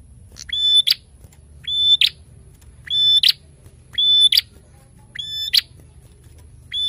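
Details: Lively narung singing of a prinia: six phrases at roughly one-second spacing. Each opens with a quick rising note, holds a bright high whistle, and ends in a harsh buzzy burst. A soft background hum is present.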